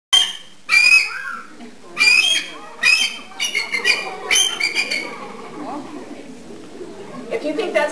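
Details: Tempest, a loud female bald eagle (Haliaeetus leucocephalus), screams: high, thin, piping screams in quick bursts, then a run of stuttering chattering notes.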